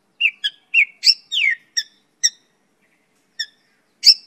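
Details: Mongolian lark song used as a tutor and lure for other birds: short, separate chirps and clear whistled notes, some slurring downward, delivered in a quick run, then a pause before two more sharp notes. No other sounds.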